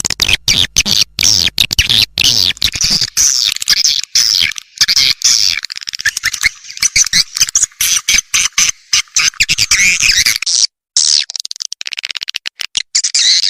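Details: Vietnamese-style swiftlet lure call, Âm Ngoài Vĩnh Châu: long stretch of fast, chattering high-pitched twitters, crowded pulses running almost without pause, briefly cut off near the end before resuming.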